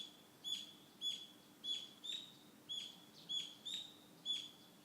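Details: Garden wild birds in Fukushima, Japan, singing in early July 2013, summer. High, sharp chirps are repeated about every half second to second in a steady series, each a brief bright note with a slight downward tail, over faint low hum.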